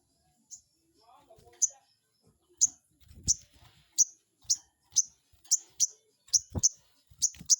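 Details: Crested jay calls used as a lure to provoke a rival into answering: sharp, very high chirps repeated roughly every half second, with soft clicks and low knocks in the background.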